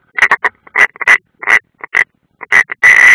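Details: A rapid irregular series of harsh croaking notes builds into a long grating rasp, given by European rollers at a nest on the Ādaži military ground, Latvia, 30 June 2016.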